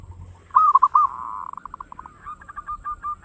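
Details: A local zebra dove gives its fast 'ngayer engkel' song, intended to get other birds singing: a brief loud cluster of three or four bubbling coos, then a steady trail of short, softer repeated notes.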